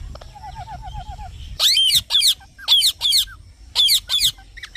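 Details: Green parrot giving a soft run of small descending notes, then loud, harsh high-pitched squawky chirps in pairs, repeated several times.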